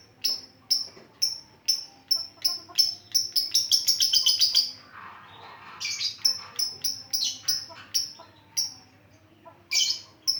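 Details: Lovebird singing: a loud series of short, sharp high chirps repeated about twice a second, speeding into a rapid trill near four seconds, pausing, then resuming the steady chirping.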